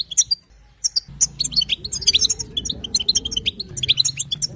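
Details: Female European goldfinch batbata chatter, meant to get a male singing: sparse tinkling notes at first, then thicker bright twittering after one second, with a steady low drone in the background.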